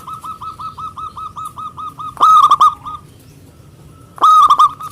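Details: Local zebra dove calling rivals in an agitated mood: a quick even train of soft hooting notes, broken twice by loud, rolling trilled coos with sharp onsets.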